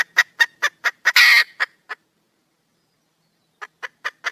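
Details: Wild female red junglefowl calling for a male: a run of short, sharp clucks about four per second, broken by one loud, harsh squawk, then silence before a few softer clucks resume.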